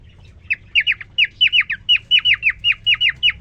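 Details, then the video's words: Courting male cockatiel, a caged parrot, twitters at a newly introduced female: a steady stream of loud falling whistles in doubled and tripled groups, about three groups each second, bright and clear. "The most amazing, and magical Cockatiel twitting you would ever hear."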